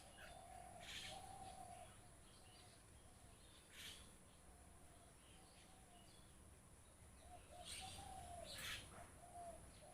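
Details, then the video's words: Flock of mynas calling outdoors: short bright chirps and squawky bursts come in scattered clusters, over lower wavering whistled notes and steady background hiss. "এজাক শালিকা চৰাই Myna Birds"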